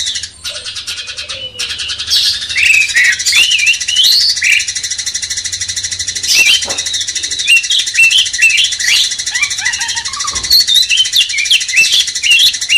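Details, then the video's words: Cucak cungkok bulbul training song: a rapid run of short, chirpy, up-and-down whistled notes that carries on for several seconds, with a persistent high buzz in the background. "Masteran cucak cungkok bangkitkan emosi kacer"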